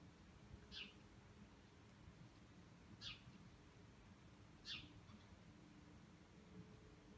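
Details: Bramblings passing over Cornol in a migrating flock, one of several waves of thousands of birds that day; three short, high, slightly downslurred calls spaced about two seconds apart over a steady low background hum.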